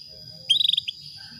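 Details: A female canary calls to lure a male, giving a quick burst of about seven bright, high chirps in under half a second, over a steady thin high whine.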